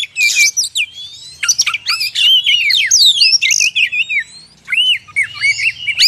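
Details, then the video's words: Oriental magpie-robin song played to lure wild birds of the same kind in the forest. A rich, fast run of clear whistles, slurred rising and falling notes and short buzzy chirps, with brief pauses near 1.2 and 4.6 seconds. "SUARA PIKAT BURUNG KACER"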